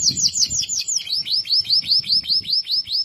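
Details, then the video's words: Canary singing in loper style, a loud, clear song said to make other canaries join in: rapid high trills of repeated down-slurred notes, first a fast run then slower, separate rising-falling notes about five per second. "Kenari loper ‼️suara jernih keras bikin kenari lain dengar ikut bunyi."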